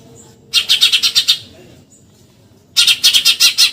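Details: Eurasian tree sparrow 'tembakan nyerecet' chatter for training contest songbirds: two bursts of about eight loud, grating notes in quick succession over a soft low background hum.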